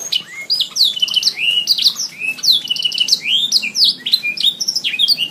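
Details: Canary singing for a songbird training recording: a rich, fast series of high sweeping whistles, falling and rising notes and short trills, steady and loud across the whole stretch.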